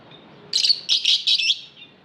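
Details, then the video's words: Aviary lovebird chirping: three loud grating, buzzy bursts in quick succession, each a rapid run of harsh high notes, over quiet background. "Lovebird Singing Call & Chirping Sounds"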